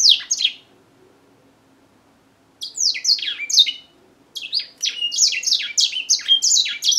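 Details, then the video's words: African grey singing finch singing in bursts: a short high phrase, a pause of about two seconds, then longer runs of rapid, sweet downslurred whistles and chips, indoors. "African grey singer finch"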